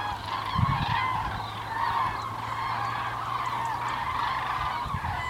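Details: Common cranes heading south on migration on 9 November 2014, winter approaching; continuous chorus of trumpeting calls from many birds, with a few low knocks and a faint steady hum.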